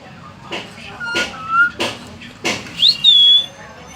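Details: A hill myna that talks gives several short raspy speech-like syllables, a brief level whistle, then a sharp rising note and a sustained high whistle at the end.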